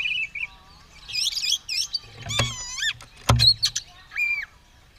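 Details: Oriental magpie-robin, ready to fight with tail spread, singing energetically: varied whistled phrases and looping high notes, interrupted by two loud broadband thumps near the middle.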